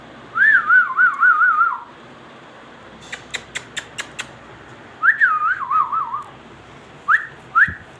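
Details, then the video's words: Ringneck parrot giving warbling whistled phrases, each wavering rapidly up and down and then sliding lower. A quick run of sharp clicks comes between phrases, and two short rising whistles close the clip. "ringneck parrot"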